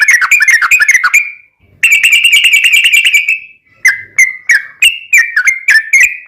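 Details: Yellow-vented bulbul song in the 'ropelan tembus-tembus' style, with 'ngelituk' and straw-headed-bulbul-style fill, serving as a tutor and lure for caged birds: two rapid chattering runs, then short clipped whistles repeated about three per second.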